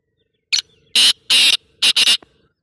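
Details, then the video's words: Black francolin giving one harsh, grating phrase of about 1.7 seconds: a short clipped note, two longer rasping notes, a brief gap, then two more rasping notes close together, against a quiet background. "kala tater ki masti wali voice"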